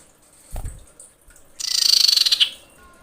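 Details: Female common iora calling to attract males: a dense, high, rapidly trilled buzz of about a second, preceded by a low thump.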